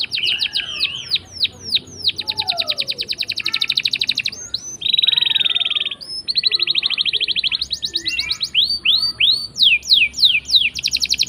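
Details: Canary in long rolling song, offered as a lure for reluctant singers; fast trills alternate with downslurred whistles and a steady bright roll, phrases changing every second or two.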